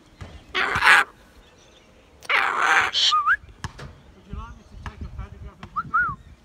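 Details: A tame sulphur-crested cockatoo, perched on a person's hand in a park near its home, gives two loud, harsh screeches, then short whistled rising notes and soft chattering, speech-like sounds; faint human voices are heard.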